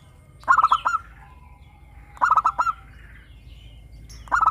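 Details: Local zebra dove, described as a loud crystal-voiced singer, used as a lure to prompt captive doves to sing; three short bursts of rapid, rolling cooing notes, each a quick stuttered series of four to five pulses, separated by pauses.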